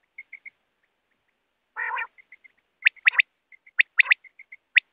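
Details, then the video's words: Wild quail call, the kind used for net hunting. One harsh buzzy burst is followed by sharp, high, whip-like notes, often paired, over a steady pattern of small soft pips. "BATER Ki Awaz|Batair ki awaz 2024|Quail sound 2024|Quail shikar ki awaz|hunting Batera with net."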